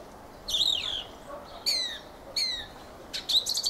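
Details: Fieldfare song made of wavering squeaky whistles and sharp high slurred notes, about three phrases a second apart, ending in a scratchy burst.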